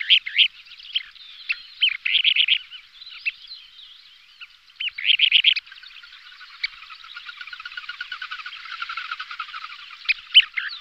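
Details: Kentish plover pair calling in aerial display, with bursts of rapid repeated bright notes, several quick trills, and a long stretch of fast ticking chatter in the second half.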